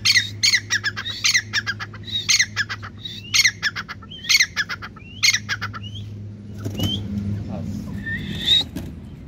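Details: A grey francolin (Francolinus pondicerianus) gives loud, harsh squawking calls in bursts about once a second, then a brief noisy spell with a few thin whistles.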